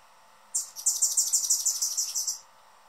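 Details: Noisy male Anna's hummingbird on his feeder guarding perch, close up: a fast burst of high, sharp chirps, roughly a dozen evenly spaced notes over two seconds, with a steady faint hum behind.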